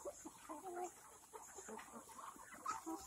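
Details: Quiet, soft clucks and brief tonal notes come from a flock of black Kadaknath chickens on an organic farm in Cuttack, Odisha, with the birds overlapping in a low farmyard murmur.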